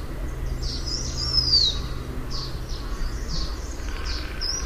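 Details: A single high, drawn-out whistle from a blue-winged minla sloping downward, followed by scattered short chirps from other birds over low rumble.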